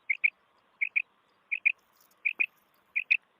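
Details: Quail hunting recording of a common quail: clear paired chirping notes, high and sharp, repeated five times at even spacing with faint low hum beneath.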